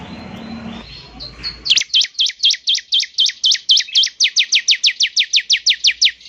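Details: Bar-winged prinia song used to make a caged bird sing: after a faint thin whistle, a long steady series of sharp downslurred high chirps, about two per second and then quickening.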